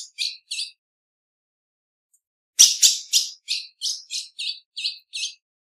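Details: A female ultramarine grosbeak gives two high chips, falls silent for about two seconds, then makes a long run of about ten sharp, bright chips at a steady, quick pace.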